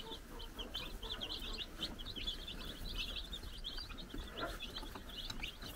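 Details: Four-day-old baby chickens on a farm in the Czech Republic, running around under a brood hen's watch, give a steady stream of high, thin peeps, many chicks overlapping with quick chirps through the whole stretch, over a low background rumble.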